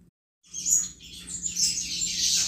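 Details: Double-collared seedeater singing in the 'chuva' style, used to excite other males; after a brief silence, a dense, rapid stream of high twittering and buzzy trills runs on without pause, over a faint, steady low hum.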